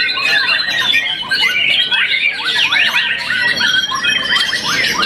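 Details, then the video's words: White-rumped shama, young and moulted once, a contest winner, giving a fast jumble of squeaky slurs, chattering notes and sweeping whistles, sustained and loud. "murai batu muda mabung satu kali"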